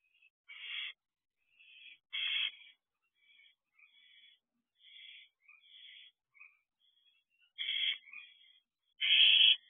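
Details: Barn owl owlets on a nest-box perch at night: softer, more distant hisses and thin wheezy notes scattered irregularly, ending in one loud close rasping screech.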